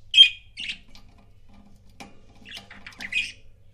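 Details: Pet budgies in couples: a loud shrill chirp, a few scratchy notes, a quiet gap with a soft tap, then another cluster of buzzy chirps.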